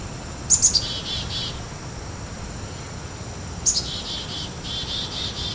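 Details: Black-capped chickadee, a bird found scattered across the United States. Two call phrases about three seconds apart, each a few very high thin notes followed by a run of lower buzzy notes, over steady background hiss.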